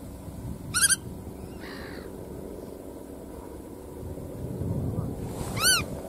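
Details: Black-tailed godwit calling in separated bursts: a quick series of harsh, nasal repeated notes, a fainter softer call soon after, then another loud rapid burst near the end, against constant low background rumble.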